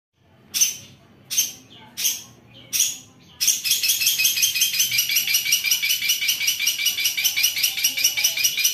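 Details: Long-tailed shrike, known locally as cendet, delivering a coarse 'kaca kaca bessetan' style: four loud harsh rasping bursts about a second apart, then a fast rattling chatter of rapid repeated notes.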